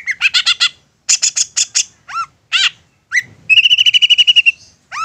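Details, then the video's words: Long-tailed shrike singing insistently to provoke a response: quick harsh chattering bursts and curved whistles, then a long buzzy trill of rapidly repeated notes, ending with another upslurred whistle. "Apapun Cendet nya AKAN LANGSUNG MERESPON dan NYAUT lanjut GACOR dengan pancingan Cendet ngotot ini"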